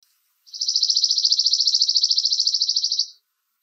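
A Chipping Sparrow sings a dry, rapid trill of high, even chips, about a dozen per second, held steady for roughly two and a half seconds in an otherwise quiet setting.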